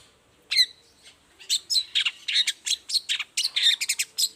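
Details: Long-tailed shrike in full morning song, used as a lure to prompt silent shrikes to answer: after a short pause, a rapid run of sharp, high chattering notes and squeaky phrases, bursts coming several per second, with a faint low hum behind.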